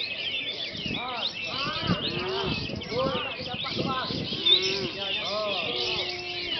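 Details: Sooty-headed bulbul in a training lure recording, with loud, rounded, arching whistled phrases every second or so, rising then falling, over continuous high twittering from many other birds.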